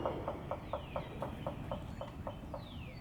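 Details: Woodpecker carving out a nest hole in a hollow branch in West Tennessee: a steady series of hollow, resonant knocks, about four per second, with a faint descending whistle in the background.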